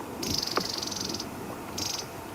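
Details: During a sunset drive at Djuma, a long-billed crombec (Sylvietta rufescens) alarm-calls with dry, buzzy, high, harsh rattles, a one-second burst then a shorter one. No source of alarm is seen, perhaps a snake. Relaxed impala are nearby.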